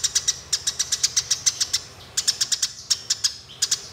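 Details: Eurasian tree sparrow fighting, in a rolling fight recording used as master audio to train songbirds: sharp, high chirps fired in rapid runs of about five per second, broken by brief pauses.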